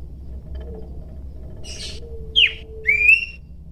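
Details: Pelanduk semak heard in the wild, calling in full voice to lure rival birds: a few short, high whistled notes, one sharply falling and one rising, over a low steady background hum.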